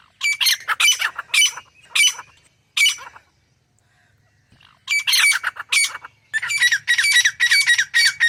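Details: Grey francolin delivering loud grating squawks in rhythmic bursts, a few seconds of calling, a quiet gap, then a faster, denser run of harsh repeated notes.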